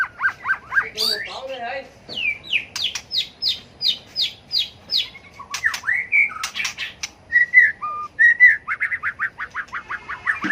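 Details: Fighting song of a tail-flicking White-rumped shama, meant to provoke and train other birds: quick series of repeated, evenly spaced whistled notes, then twisting slurred phrases and a few pure, level whistles, ending in a rapid trill.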